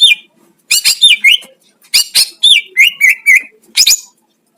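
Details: Greater green leafbird, a master singer used to provoke other leafbirds: bursts of whistled and squawky notes, sharp downslurred phrases and rapid rising-falling slurs, several separate phrases within a few seconds, no other sounds.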